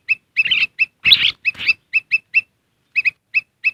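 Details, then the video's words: Black-crested bulbul calls used as a lure to attract wild birds: crisp repeated chirps, often doubled, broken early on by several rough, noisy bursts, then steady spaced chirps again. "Suara Pikat Kutilang Emas"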